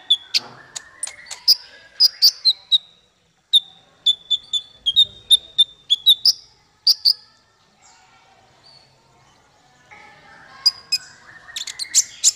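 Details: Konin male (brown-throated sunbird) offering tutor song: series of thin, piercing whistles on one pitch mixed with high chips, a lull, then a renewed burst of twittering.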